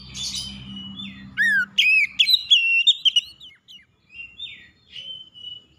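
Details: Oriental magpie-robin, song to stir up a rival: buzzy opening, a low slurred whistle, then loud quick whistled phrases, fading into softer scattered warbles with low hum early on.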